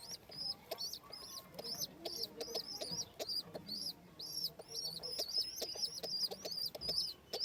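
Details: Home pigeon chicks with an adult during feeding: rapid, high, squeaky whistled squeals, each a brief arched note, repeated in an uneven run of about two per second over soft low rustling.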